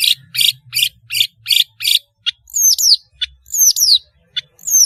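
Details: Long-tailed shrike in active song, used as a tutor for young birds learning sounds: six evenly spaced harsh, grating notes about every third of a second, followed by high whistles sliding steeply downward mixed with short scratchy notes.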